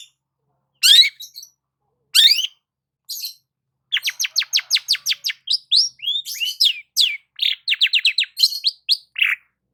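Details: Morning song of a long-tailed shrike basking in the sun: a few scratchy opening notes, then a fast run of repeated sharp downward whistles mixed with slurred chirps.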